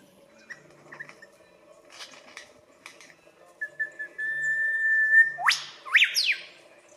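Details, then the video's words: A male lyrebird in Australia, which mimics other birds as part of its courtship display, gives a long, steady, pure whistle, then loud whip-like notes that sweep sharply upward and fall away, after soft scattered chirps. "Lyrebird magnificent calls"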